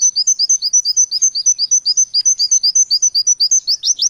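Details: An Oriental white-eye sings in a rapid 'shooting' style with varied material tagged wekwek, kowul and ciblek: a fast, high twittering volley of about seven bright, slurred notes a second, with varied phrases and no other sounds.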